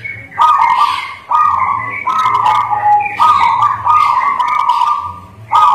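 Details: Local zebra dove, a strong singer, delivering a series of long level cooing notes in back-to-back phrases, broken by brief dips, over a low hum.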